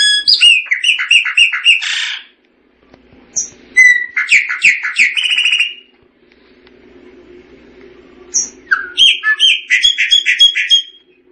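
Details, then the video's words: A Chopi blackbird sings in bursts: fast repeated chirps, then a short phrase of sweeping whistles, a pause filled by low background hum, and another rapid run of bright repeated notes. "Tordo Chaqueño Cantando - Chopi Blackbird Singing"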